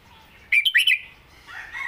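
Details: A single fast phrase of four liquid, rising and falling whistles from a caged red-whiskered bulbul singing in the southern style, followed by a faint warble.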